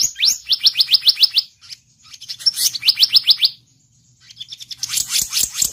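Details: Blue-banded kingfisher lure call: bursts of sharp rising chirps repeated rapidly in series of six to eight, separated by short pauses, with a faint low hum beneath.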